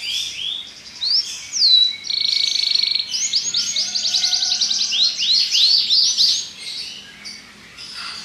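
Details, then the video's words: Belgian canary with a varied song: rising whistles, a steady buzzy held tone, then rapid arched notes in quick series before fading. "Canário Belga cantando"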